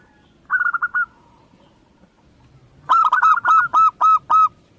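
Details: Zebra dove of local Indonesian stock giving a quick soft trill of clipped notes. After a pause comes a louder, evenly spaced series of about seven ringing coos.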